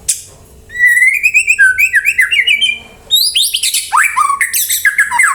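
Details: White-rumped shama singing to prompt other birds to answer and sing: a rapid series of repeated rising whistles, then a pause, followed by a richer, louder passage of high sweeping notes and descending slurred phrases.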